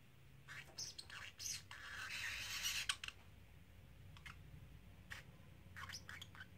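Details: Three-month-old male pet parrotlet kept indoors, mimicking human phrases such as "Silly Birdie Bird" and "Do You Want to Come Out"; a harsh, raspy, speech-like phrase lasting about a second, framed by short scratchy squawks and clicks in a quiet room.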